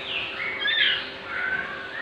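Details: Sick young white-rumped shamas with diarrhea, held during cleaning, utter high squeaky chirps, a sharp bright note near the middle and softer trailing ones, with constant hiss behind.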